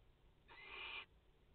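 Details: Barn owls at a nest in France, a mother with four chicks, 30 August 2021; a single short, harsh hissing burst lasting about half a second over quiet background.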